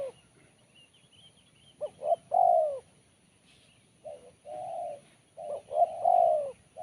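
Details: Crisp, sharp BL Kuk 1 song of a spotted dove. Three coo phrases, each built from short rising hoots and a sustained, gently falling coo, separated by brief pauses.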